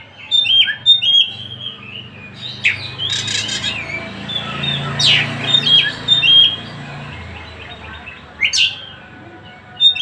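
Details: Oriental magpie-robin (Tasik kacer) singing at will: scattered whistles and sharp, high, rasping bursts over a low background hum, spaced a second or two apart.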